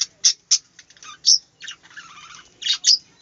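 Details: Budgerigar song from a small aviary: loud squawky chirps at about three per second run into a scratchy, buzzy warble mid-phrase, then more sharp high notes at the end.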